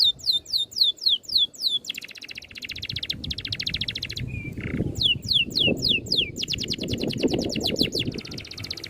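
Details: Oriental magpie-robin in rolling, closely packed song. Quick high descending whistles alternate with extended buzzy rattles and one low note, over a steady low background rumble.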